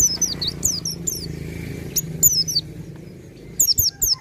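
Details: Pleci dakun white-eye singing full ngalas, almost nembak: a steady stream of thin, high, down-slurred chirps in loose groups over a broad low hum and background noise.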